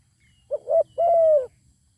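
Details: A zebra dove sings where a good-voiced wild bird stays away rather than fighting; a single phrase of two brief coos followed by a long, level-then-dropping, soft purring coo against a quiet background.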